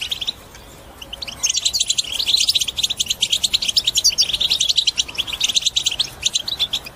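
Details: Twittering bitbita song of a European goldfinch, used to encourage other birds to sing: quiet at first, then a continuous stream of sharp, quick chirps and liquid trills.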